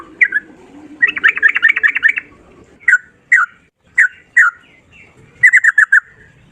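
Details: Sooty-headed bulbul singing lively 'ropel' phrases: a dense rapid trill of bubbly notes lasting over a second, then spaced single slurred notes, and a closing burst of four quick notes over faint low background noise.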